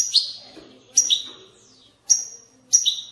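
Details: European goldfinch batbata song intended to stimulate singing in goldfinches: four separate sharp, high chirps, each falling into a brief ringing note, with gaps between them.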